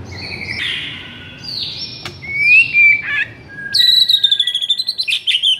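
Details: White-rumped shama in lively song used to trigger silent shamas: long sliding whistles, then a fast rattling trill of high repeated notes at the end.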